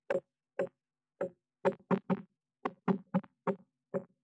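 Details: Woodpecker at a blue tit nest box with chicks inside, 19 May 2021, hammering in about a dozen hollow knocks, some single, some in quick pairs, spaced irregularly over four seconds.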